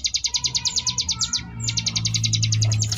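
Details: Sunda bush warbler (ciblek gunung) singing a varied 'ngebrem' style song, a tutor recording for contest birds: fast series of high buzzy pulsed notes, briefly broken then resumed, over a steady low hum.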